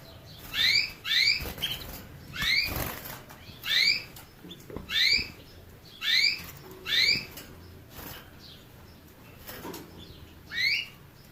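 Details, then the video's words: Canary song made of crisp upward-sweeping chirps repeated in a loose series, roughly one or two per second, with pauses between groups and a low hissing background. "Bird motivator sounds the basics of canary birds' singing"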